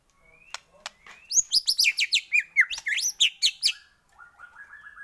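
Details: White-rumped shama lure sound for sparking shama song; thin rising whistle, then a fast burst of high sweeping chirps repeated about twice a second, fading into soft lower notes.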